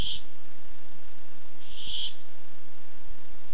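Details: Barn owl at a nest camera looking for food, August 2015: a screech cut off at the start, then a full rasping, hissing screech about two seconds later over quiet background.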